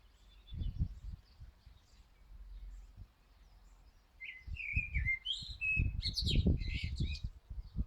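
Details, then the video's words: Common blackbird song heard softly at first, then a clearer phrase of mellow whistles followed by a squeaky, high twittering flourish, with intermittent low thuds and rumbling underneath. "Mirlo cantando"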